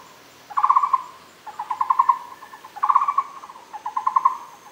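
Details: Recorded at Fushan, a Muller's barbet utters four bursts of rapid, resonant pulsed notes, each a tight run of several beats, separated by brief gaps, with a quiet high steady tone audible throughout.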